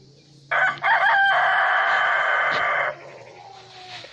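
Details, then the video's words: A rooster gives one long, strained crow lasting over two seconds, starting abruptly and holding level before cutting off, followed by quieter background noise and a faint trailing call. "Murga ki awaz-rooster crowing"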